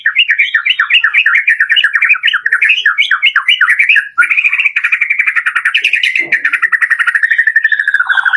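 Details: White-rumped shama singing a full-variation lure song: choppy fast notes for several seconds, then a smoother rapid trill that slides gradually lower in pitch toward the end.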